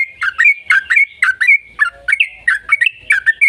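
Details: Yellow-vented bulbul in continuous, energetic song, used to prompt other bulbuls to sing: closely spaced, liquid whistled notes slide up and down in a steady bubbling stream.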